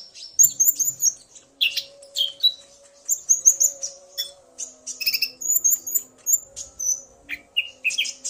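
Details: Male common iora calling excitedly after being provoked by a female's call, the pair answering each other; dense run of high whistled and chirping notes, some trilled, with brief buzzy bursts and a faint steady low hum beneath.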